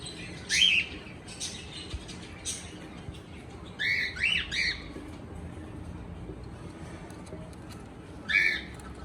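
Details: Cockatiel singing and chirping in upswept whistled notes: one single chirp, then a quick run of three rising chirps, and a final chirp some seconds later, over low steady background noise.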